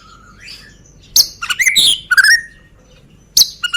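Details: White-rumped shama from Medan, a caged songbird, used as a lure to provoke other birds to sing: short bursts of sharp whistles, chirps and sweeping notes separated by pauses, over a soft background hiss.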